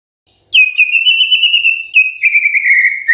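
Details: White-rumped shama song used in the morning to prompt silent birds to sing: a long sustained whistled note held level, then a slightly lower whistle gliding gently downward, clear and loud.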